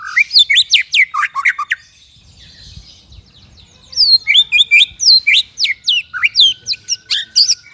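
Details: Singing white-rumped shama used for training songbirds: quick series of sharp downslurred whistles, a two-second lull with faint background rustle, then a long lively run of varied chirps and clear whistled notes.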